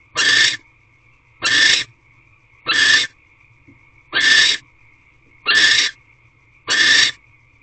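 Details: Female barn owl calling in a nest box during a midday visit from the male on 21 March 2023, sounds suggesting mating. Six evenly spaced rasping, hissy screeches roughly every 1.2 seconds, with a thin continuous tone between.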